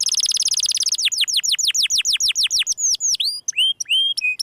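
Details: Canary in 'gesekan' style opens with a very fast, piercing high trill, then drops into slower, strongly descending whistled notes and ends on a few flat, sustained whistles.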